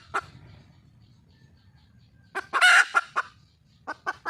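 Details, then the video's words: Red junglefowl hen in the wild, calling to attract a male. A lone cluck comes first, then a rapid burst of clucks rising to a loud, raspy squawk, followed by more short clucks after a pause. "le bruit d'une poule sauvage,เสียงไก่ป่าร้องหาถู่หาตัวผู้,ສຽງໄກ່ປ່າຮ້ອງຫາຄູ່ຮັກ, poj qaib qus see"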